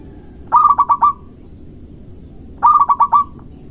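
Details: Local zebra dove singing actively, used as a fast lure song to rile and provoke rival birds: two phrases of five soft, rolling cooing notes, low-pitched and rapidly pulsed, separated by a two-second pause over a quiet background.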